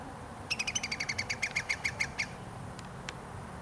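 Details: Iberian Green Woodpecker, recorded 2022, delivers a loud, fast series of about sixteen ringing notes at an even pitch, gently slowing toward the end, then two faint clicks.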